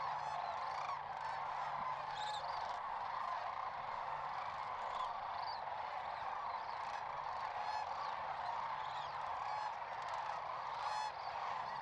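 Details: A large flock of sandhill cranes at spring migration staging on Nebraska's central Platte River gives a dense, steady chorus of overlapping rolling, bugling calls, with no pause in the din.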